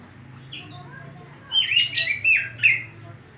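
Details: Oriental magpie-robin (kacer) singing in the 'isian koslet' style: a short burst of harsh, squawky notes with a few sliding whistles, over a steady low hum.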